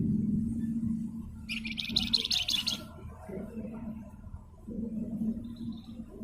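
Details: Flamboyan, the Javan fulvetta, delivering a harsh, rapidly stuttering high trill lasting about a second and a half, with a faint thin whistle later. A constant low droning hum fills the background.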